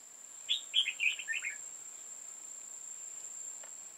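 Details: Decoy red-whiskered bulbul at a trapping site on 5 October 2018 sings a one-second burst of bright, bubbling chirps that step downward, challenging rivals, then falls silent against faint insect hiss and a constant high tone.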